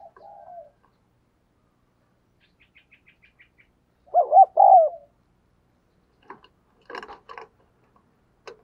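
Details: Spotted dove decoy, kept to lure wild doves, gives a single loud mellow coo phrase midway, preceded by a soft coo and a few faint ticks, followed by scattered clicks and rustling knocks.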